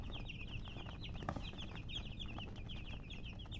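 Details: Many young chicks peep nonstop, their thin high chirps tumbling over one another in a busy chorus over low background rumble.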